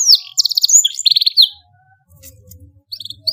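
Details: Canary master song for young birds: brief bursts of high buzzy trills and whistled slides, then a short pause before the singing resumes, with faint low rumbling.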